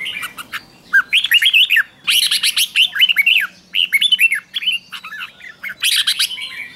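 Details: Used as a lure to call wild birds, a red-whiskered bulbul sings a busy sequence of bright, curving whistles and buzzy chirps in dense clusters with short breaks.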